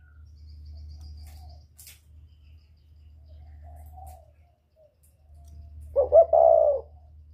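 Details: Whistle-voiced northern spotted dove, used to stir wild doves, gives one brief phrase near the end: two clipped notes into a short drawn coo, after several seconds of faint low hum.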